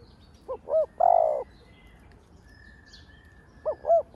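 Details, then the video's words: Decoy spotted dove calling to rouse other doves, giving two quick hooting notes and one drawn-out coo, then starting the same phrase again after about three seconds over a faint hiss. "Cu gáy mồi cây gáy gọi thúc ,gù bổi hay. tiếng cu gáy mồi cây kích bổi hiệu quả, cu đất gáy"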